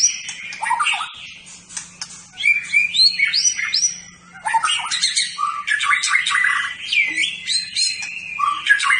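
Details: White-rumped shama, a champion competition bird, delivering a rich, continuous medley of warbles, whistled slurs and rapid chatter, busy and varied throughout with only brief dips.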